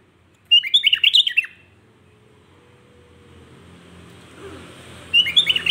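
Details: Sooty-headed bulbul (Pycnonotus aurigaster) song meant to provoke other bulbuls to respond: a quick burst of bubbly, liquid whistled notes lasting about a second, repeated after a few seconds' pause, over faint low background hum.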